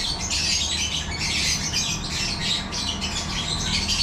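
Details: Aviary breeding setup of yellow-collared lovebirds, also called African lovebirds: unbroken high, scratchy squawking and twittering from a crowd of birds, evenly loud throughout, backed by a faint low droning hum.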